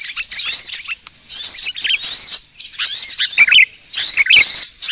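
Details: Sunbird lure sound for calling birds in: four bursts of shrill, rising-and-falling twittered whistles, each lasting about a second, separated by short quiet gaps.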